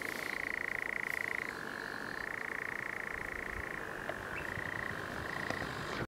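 A nightjar churrs in a steady, dry, rapid trill that runs unbroken throughout, switching abruptly between a slightly higher and a lower pitch.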